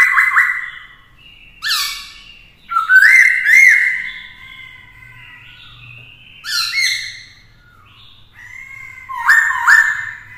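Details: Male Black-throated laughingthrush singing many varied voices to challenge a rival, with a female close by: loud rolling whistled phrases alternate with rasping rising bursts and long held tones. Four main loud outbursts are spread across the recording.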